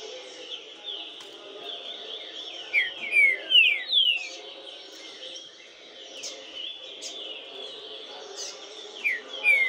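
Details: Green-winged saltator song: loud, clear whistled notes sliding downward, clustered around three and four seconds and again at the end, over a steady high hiss and soft background chirping.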